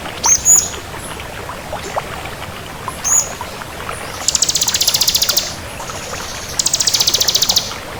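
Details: Bar-winged prinia, crystal type, singing actively: sharp high double chirps, then two long, very high, fast rattling trills of about a second each, over a steady background hiss.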